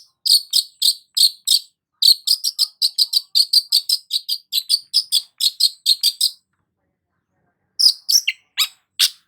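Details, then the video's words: Long-tailed shrike singing actively, used as a lure for stressed shrikes: a long rapid train of short, even, buzzy notes, then a pause and a few scattered sharp varied notes. "BURUNG CENDET GACOR PALING AMPUH UNTUK PANCINGAN CENDET STRES"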